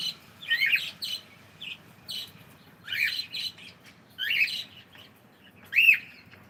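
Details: Cockatiel saying good morning, giving five harsh, harmonic chattered phrases at uneven gaps of about a second, the last a clean arched note, in a quiet room.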